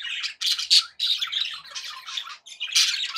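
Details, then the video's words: Pet budgies chattering contentedly, short squawky phrases and buzzy warbles in quick succession, separated by a couple of brief silences. "happy budgie sounds"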